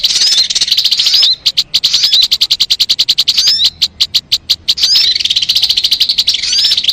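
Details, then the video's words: Sogon song used to lure birds: a burst of shrill warbling, then an even train of rapid high chips, then warbling chatter again. "MP3 suara burung sogon"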